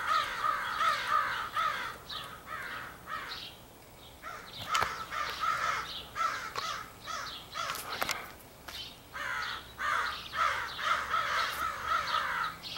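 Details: Large extended group of crows calling together, thought to be picking mates, recorded on 4 April 2015: many overlapping harsh caws in dense rapid bursts, about two per second, with short lulls and sharp clicks between.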